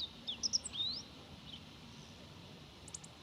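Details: A meadow bunting sings on a cloudy, slightly chilly spring day on 25 February 2018: one quick phrase of high, sharp, varied chirps and slurred whistles, then faint notes over steady hiss.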